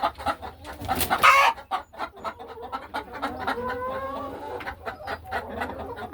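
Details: Hens in a farm hen house on an ordinary afternoon, going about the nesting boxes; a sudden loud, harsh squawk comes early, followed by a string of quieter, regular clucks with faint rising tones.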